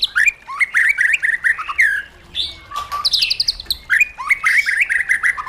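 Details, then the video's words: Wild-style song from a caged white-rumped shama: lively jerky whistles stepping up and down, a short pause, a bright burst of rapid high notes, then more rolling whistled phrases. "KÍCH CHOÈ LỬA HÓT 100%, LUYỆN CHOÈ LỬA HÓT GIỌNG RỪNG HAY MỚI NHẤT"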